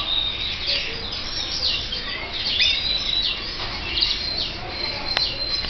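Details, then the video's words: Dense run of high, rapid chirps and short whistled notes from red mosaic canary chicks, nearly unbroken throughout, with a brief click near the end. "FILHOTES DE CANÁRIO VERMELHO MOSAICO"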